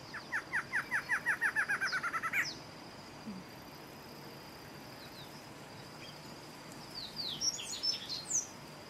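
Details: A singing male barred antshrike gives a fast, accelerating series of about fifteen nasal notes ending in an emphatic flourish, with high chirps from other birds afterward.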